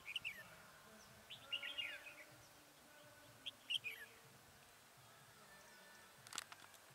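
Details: Red-whiskered bulbul singing as a trap decoy to draw in wild birds, 27/11/2017: clusters of quick chirpy warbles, several in a row, then quiet, with a brief rattle of noise near the end.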